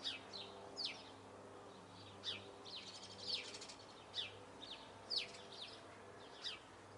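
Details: Eurasian blue tit giving high, sharp downslurred notes at uneven intervals, broken once by a short rapid trill, with a faint steady hum behind.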